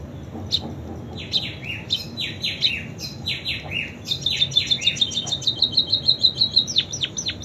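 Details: Munia performing song with canary imitations: spaced downward-sliding buzzy notes, then a fast even trill of high clipped notes building in loudness, ending with falling swoops.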